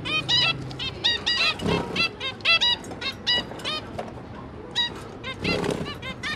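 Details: Zebra finch parents feeding three juveniles, 5 September 2022: steady stream of short, nasal, trumpet-like beeps from multiple birds, evenly spaced with a few louder bursts, low background hum.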